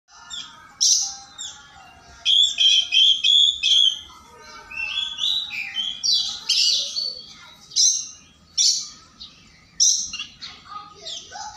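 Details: Oriental magpie-robin singing in the morning, insistently challenging a rival: loud varied phrases of sharp whistles, chattering notes and harsh bursts, delivered in uneven spurts with short pauses.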